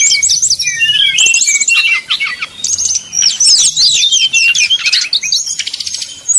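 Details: Simulated contest fight between Sumatran red-crowned leafbirds, meant as mental training for a leafbird: dense chattering whistles, fast trills and buzzy notes tumble over each other in continuous bursts.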